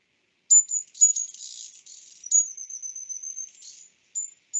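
A hummingbird gives very high, thin squeaky notes and a longer tinkling, buzzy twitter, all sharp and metallic with short pauses between bursts.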